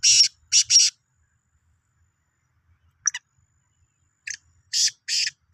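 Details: Harsh triple-note phrase from a Sindhi black francolin, 16 March 2023, followed after a pause by brief clicks and a second grating phrase of rising loudness.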